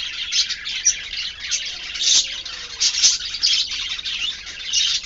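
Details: Pet budgerigar singing a warble: a continuous high, chattering stream of scratchy chirps and squeaky notes.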